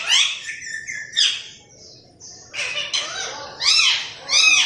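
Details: Pet green parrot talking like a human: raspy, harmonic, speech-like phrases in short bursts with a few bright chirps, some rising and falling, with brief pauses between utterances.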